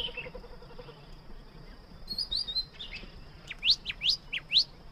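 A cockatiel gives four quick rising, whistled chirps in the last half of the clip, with fainter calls before. A steady high whine runs throughout.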